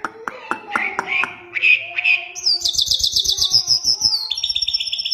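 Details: Mashadi lark song opening with low clicking chips and short whistles, then jumping to a long high rapid trill that drops slightly in pitch.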